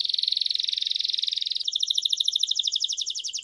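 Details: A Belgian canary delivers a steady, rapid rattling trill, then jumps abruptly to a brighter, higher trill of paired pulses after about one and a half seconds. No other sounds.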